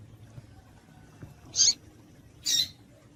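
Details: Female double-collared seedeater call, used to excite males into singing: two short, sharp, high chips about one second apart, the second slightly longer, over a quiet background with faint low hum.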